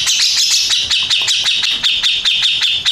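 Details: Grey-cheeked bulbul, a first-place contest winner, delivering a dense, harsh chattering song of rapid clipped notes about four per second, with a steady shrill band running underneath throughout.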